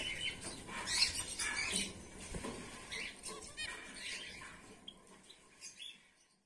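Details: White Bengalese finches, males and females in a colony, produce bursts of thin high chirps that are busiest early on, then thin out and fade toward the end.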